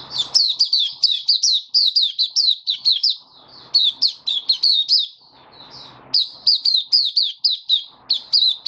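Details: A caged white-eye delivers its opening song, recorded 23 March 2022 in warm, humid conditions: fast, high-pitched twittering phrases of sharp chirps, broken by a short pause midway, with soft rustling in the background.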